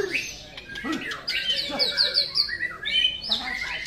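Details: Caged White-rumped shama at a bird singing practice contest, delivering rapid bright whistled trills and sweeping notes in busy overlapping phrases, other contest birds singing alongside.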